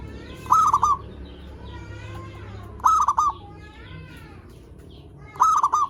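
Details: Zebra dove (perkutut) lure song, played to draw in and stimulate other zebra doves: loud stuttering cooing bursts repeated about every two and a half seconds, with softer wavering warbled notes between them.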